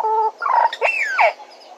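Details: Bennett's woodpecker, Djuma, live camera: a level nasal note, then a sharp rising sweep and a long falling slur, ending in quiet hiss.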